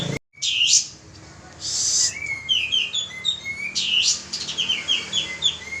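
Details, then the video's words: Lively male pied triller lure song, a fast series of clipped, downward-slurred whistles after a brief silence and two rough noisy bursts, the notes rolling on steadily to the end. "suara pancingan burung kapas tembak jantan gacor"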